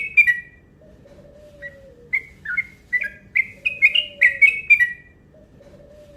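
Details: Yellow-vented bulbul calling rapidly as a lure: a few scattered chirps building into a quick, rising run of bright slurred notes, accompanied by a soft, low, falling tone in the background.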